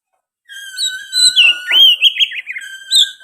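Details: Oriental magpie-robin delivering a song with sooty-headed bulbul phrases: a long steady whistle opening into warbled, bubbling slurs and rising notes, ending on a sustained whistle.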